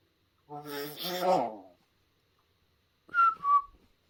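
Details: Talking pet hill myna rehearsing speech and a whistled march tune at home. Opens with a rough, speech-like burst lasting over a second, followed after a pause by two bright whistled notes in quick succession, gently dropping in pitch.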